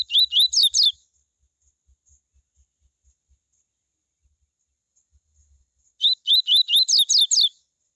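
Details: Coleiro tui tui song meant to warm up other coleiros into singing: two short bursts of rapid whistled notes, each about a second and a half long, separated by five seconds of near silence.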